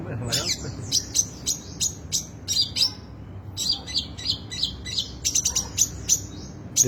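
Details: Long-tailed shrike with a rich, erratic song: thin high ticking notes and sharp chips in quick irregular series, with a brief pause midway before resuming.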